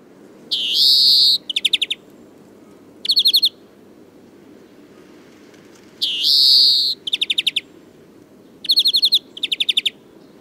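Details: A male European greenfinch (Chloris chloris) singing in spring gives its typical long nasal wheeze followed by quick, bright twittering trills.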